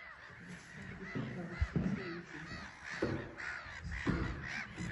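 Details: Bustling black-headed gull colony on a small island at Frampton Marsh; a mass of coarse, arching squawks overlapping throughout, punctuated by several heavy low-pitched bumps.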